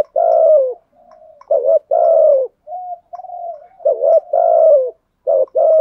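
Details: Spotted dove used as a decoy, cooing to lure wild doves. Loud, husky low coos come in three phrases, each a quick double note and a longer falling note. Softer, flatter coos fill the gaps between them.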